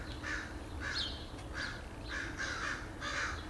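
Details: Crows calling in a front yard in Edmonton, Alberta, Canada, on 8/3/2012: six harsh, hoarse caws in a steady series, roughly two per second, over a constant low traffic-like rumble.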